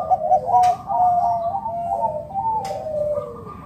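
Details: Wild local zebra dove calling to lure other doves into calling and cooing; overlapping low, soft descending coos roll on through the stretch, with two brief clicks.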